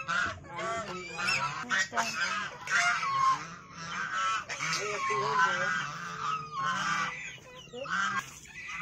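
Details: White domestic geese honking almost without pause, loud nasal harmonic honks overlapping one another in a busy, continuous chorus with a few short breaks over about nine seconds.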